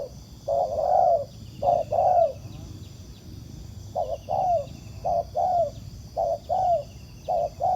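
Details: Ground-decoy trapping of spotted doves, with a wild bird cooing back: paired low coos, short then long and falling, several in quick succession, a quiet pause, then more evenly spaced pairs.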